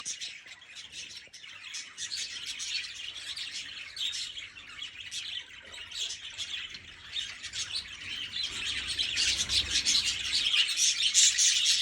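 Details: Australian budgerigars in a happy mood chatter continuously in a busy flock, with high, scratchy warbles and chirps overlapping throughout.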